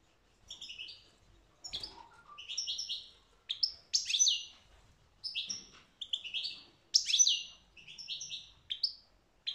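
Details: European goldfinch singing: bright, high twittering phrases of quick chirps and short buzzy notes, given in bursts separated by brief pauses, with a faint lower note near the two-second mark.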